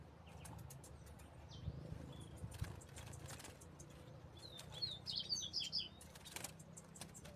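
A Double-collared seedeater gives a brief burst of high, sweet, rapidly linked whistled notes, preceded by a few faint chips, over a steady low traffic rumble.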